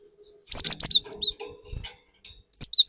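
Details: Energetic cinereous tit song meant to provoke rival birds: rapid high whistles repeated three times, then lower falling notes, soft rustling, and another whistled pair near the end.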